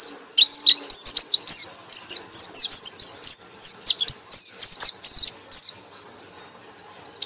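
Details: High, rapid ngekek chatter from a white-eye: a steady string of sharply slurred, piping whistles for about five seconds, then it fades to quiet with one final note.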